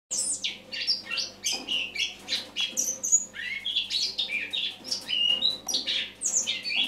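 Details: Eurasian blackcap singing in autumn, recorded in the morning on 1 October 2017: a dense, rambling warble of rapid varied notes, squeaky whistles and chattering phrases, with sweeping high slurs running continuously.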